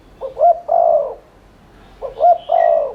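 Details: Spotted dove giving rapid 'thúc liên thanh' coos, a lure to trigger cooing in other doves. Two clean, low phrases: a short stuttered pair of notes sliding into a long, steady mellow coo, with a faint high tone after.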